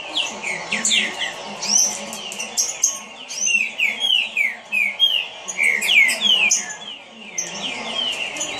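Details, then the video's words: Fast song of a kept green-winged saltator: many quick downward-sliding whistles pour out in bursts, mixed with bright high twittering from other birds and a background hum. "Trinca Ferro rapido"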